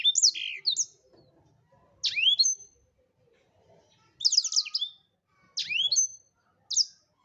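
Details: Black-throated canary singing steadily as a tutor song: brief high phrases of fast slurred whistles and trilled chips, five bursts over seven seconds with short silent gaps between them.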